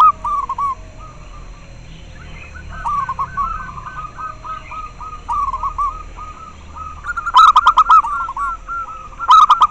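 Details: Zebra dove, local bird, in a long run of rapid staccato coo notes, softer phrases building to a loud stuttering series with crisp clicking beats near the end; used to stimulate captive doves' breeding drive and as a lure.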